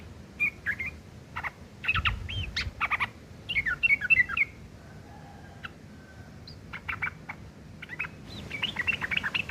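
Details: Rough ngeriwik kasar chatter of a yellow-vented bulbul, a tutoring recording for long-tailed shrikes: bursts of scratchy, clicking notes and brief whistles, broken by a quiet pause, then more rapid rasping chatter toward the end.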